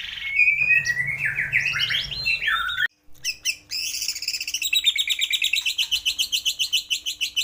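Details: White-rumped shama from a morning training recording meant to set off song: swooping, looping whistled phrases, then after a brief break a long series of fast, evenly repeated sharp notes.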